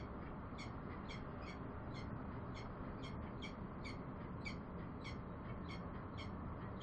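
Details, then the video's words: Bellbird calls: crisp, metallic pinging notes repeated about every half second in a steady run, partly masked by constant deep rumbling noise. "Bell bird sounds"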